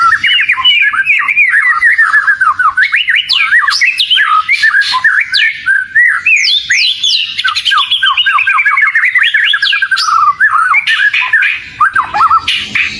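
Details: Kacer (oriental magpie-robin) in a long, vigorous bait song. Dense cascades of rapid descending whistles mix with sharp upslurred notes and scratchy bursts, delivered almost without pause for over ten seconds.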